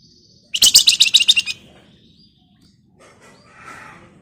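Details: Flamboyan songbird in full energetic song, used as a lure to get other birds singing: a dense burst of about eight very high, sharp, rapid notes over one second, then faint soft chirps and background hiss.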